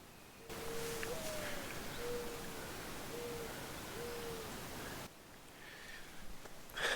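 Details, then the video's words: A mourning dove at about 7 a.m. on a chilly 45-degree morning on the East Bluff of Devil's Lake State Park, Wisconsin, gives soft, low cooing: a rising first note then three or four hollow coos over about four seconds, against steady hiss. "Hear that mourning dove?"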